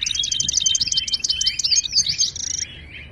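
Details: Moroccan European goldfinch in Ouidani-style song, played to stir silent caged birds to sing. Fast, clipped, repeated twitters over a steady high whistle, ending in a tight buzzy rattle.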